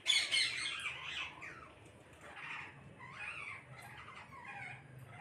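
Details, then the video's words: Parrots noisily calling as a group, opening with a loud grating squawk, then softer rasping chatter and overlapping screeches fading through the rest. "கூட்டமாக கிளிகள் சத்தமிடுகிறது"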